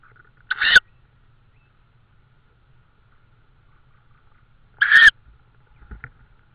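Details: Tawny owl, Estonia, 16 May 2013, evening, at the time of prey deliveries: two brief grating screeches roughly four seconds apart, separated by near silence with a constant faint tone.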